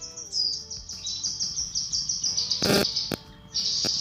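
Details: Cucak kinoi female calling a male, recorded as training material: a continuous high chattering of quick repeated notes, interrupted by a brief loud noise burst.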